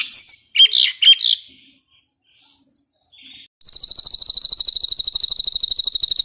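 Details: Bird from a master recording for contest birds: a few sharp, high, chirping phrases, a quiet pause, then a long, even, rapid high trill repeated without a break.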